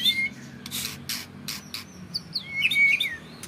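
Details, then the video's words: Caged white-rumped shama from a champion line gives a few brief high whistled notes between bursts of rustling noise. "Burung Murai Batu Trah Jawara Vegas BF Tembakan Panjang Bikin Musuh Down Mental"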